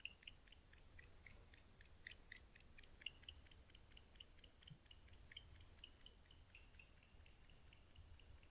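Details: Wild barn owl landing at its nest box at 3:19 am on 23 November 2023: rapid, faint high-pitched clicks and ticks in irregular bursts for several seconds, over a steady low background rumble.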